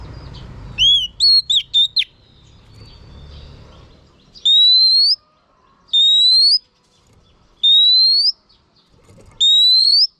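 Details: Female oriental magpie-robin singing to stimulate males. A brief burst of quick notes opens, then long, pure, rising whistles are repeated about every one and a half seconds with silent gaps.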